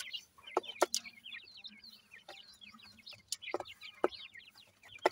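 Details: Grey francolin chicks peep busily while feeding: quick series of high, slurred chirps, broken by several loud sharp taps, over a faint low hum.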